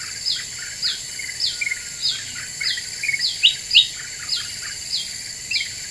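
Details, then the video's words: Black-winged bulbul singing as a lure sound to agitate other birds: steady high downward-sweeping whistles repeated about every half second, joined by a cluster of brighter sharp chirps near the end. "Suara Pikat Kutilang Emas Super Gacor,,Bikin Burung Lain Pada Emosi"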